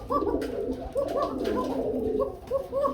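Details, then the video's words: White Arabian cooker pigeons, a caged breeding pair kept with their young, both birds said to call a lot: repeated low rolling coos with short rising notes, steady throughout, in a small indoor room. "দেখতে পাচ্ছেন? প্রচুর পরিমাণে ডাকে নরমালি দুইটাই ডাকি।"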